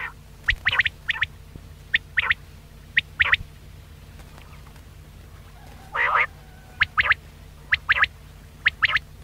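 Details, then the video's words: Quail calls for luring birds when hunting. Crisp, high clipped notes come in triplet-like groups of one plus two, about once a second. Midway there is a longer rough, buzzy burst, all over a faint continuous low hum. "Batair ka Bulara | VOL 66 | Quail Voice"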